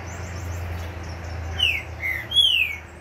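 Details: Green-winged saltator (trinca-ferro) that has finished its moult: three loud, clear whistled notes in the last half, the first sliding down, the second short and level, the third high and falling, over a steady low rumble.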